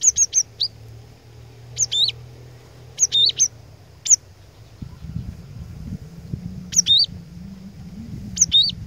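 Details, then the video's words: Cinereous tit kept as a lure, singing sparse short groups of high, sharp notes every second or so, against low background hum. "Kicauan Glatik Batu Pikat Gacor Door, Cari LAWAN...!!! Dijamin Cepat Bikin Glatik Lain Bunyi Gacor"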